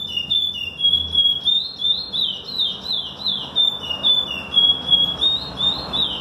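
A chestnut-bellied seed finch sings a steady run of clear, high whistled notes, sliding up and down in quick linked phrases without pause.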